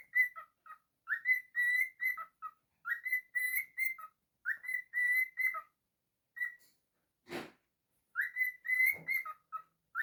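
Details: Pet cockatiel singing its whistled phrase several times. Clear level notes mix with brief lower chirps. A sharp broadband knock or thump interrupts during a pause before the song resumes.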